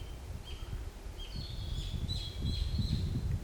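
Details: Birds singing in the forest of the Pola Museum of Art: thin, high whistled phrases, several overlapping and slightly wavering, over a low rumbling background noise that grows louder toward the end.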